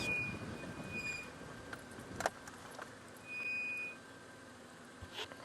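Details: Interior road noise during a sunset drive, with steady rumble, two short high electronic beeps and a few brief clicks and rattles.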